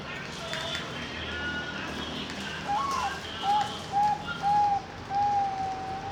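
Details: Young caged zebra dove of the Bangkok type, bred in Kediri, Indonesia, and hatched June 2024, delivers a rising first note then a steady series of clear mid-pitched coos about twice per second against soft ambient noise.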